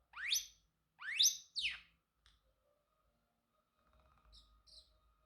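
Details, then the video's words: Pet male Pacific parrotlet giving three quick rising, rasping chirps, followed by quiet, faint high twitters and near silence. "Parrotlet Talking ✨️ Cute Funny Sounds"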